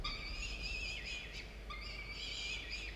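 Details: Two young falcons at their nest, recorded by a nest camera early on 27 October 2022, giving an almost continuous stream of drawn-out, wavering, harmonic squeals with a brief break in the middle.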